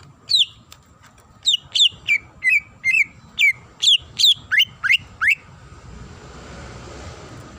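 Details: Female greater green leafbird calling to the male with a sequence of clear falling and rising whistled notes, spaced irregularly, ending in quiet hiss.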